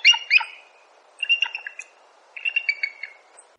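Bald eagle giving three bursts of high, thin piping notes, each a quick stuttering chatter of about a second, with brief pauses between.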